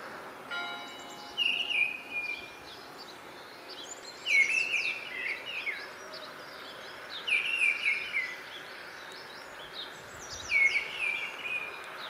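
Mistle thrush singing short, fluty, slightly wild phrases, one about every three seconds with clear pauses between, over a steady background hiss.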